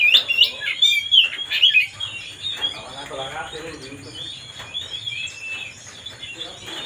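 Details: Oriental magpie-robin singing to provoke another bird into agitation: loud, rich whistled phrases with rapid trills in the first two seconds, then fainter scattered chirps over a low background murmur.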